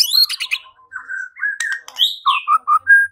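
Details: White-rumped shama lure song meant to make rivals fight and sing: a brisk, jumbled opening, then clear, steady whistled notes at varied pitches, and a run of short, evenly spaced mellow whistles.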